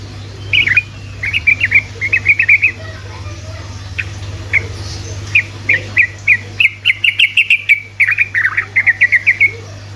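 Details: Sooty-headed bulbul in energetic ropelan singing used as a lure for other bulbuls: warbled phrases and spaced clipped chirps, building to rapid trilled bursts near the end, over a low steady hum.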